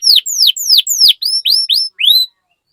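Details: Canary 'cuit cuit' chirping used to coax other canaries to sing: about nine crisp, downward-sliding whistled notes in quick succession, then silence.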